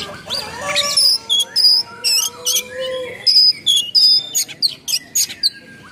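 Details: Oriental magpie-robin 'full nembak' song with rough fill phrases, played to provoke and train other magpie-robins: short piercing high whistles in separate bursts over a lower steady tone in the opening seconds.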